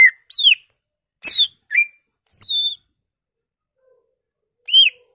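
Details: Greater green leafbird giving a lure song meant to stir other leafbirds into singing and showing off its learned repertoire: scattered clear whistles, some slurring downward, others short chirps with harmonics, separated by brief silences.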